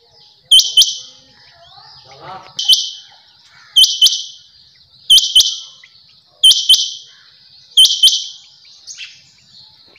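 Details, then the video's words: A female rain quail gives loud, harsh, high double notes, repeated about every one to one and a half seconds, over a quiet background. "Quail sound"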